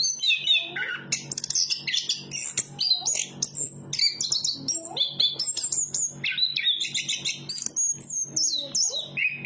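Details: Extended song of a chestnut-capped thrush, a songbird of Southeast Asian forests called anis kembang: a long, unbroken stream of shrill whistles, chips and descending slurs, very high and varied, over a faint hum.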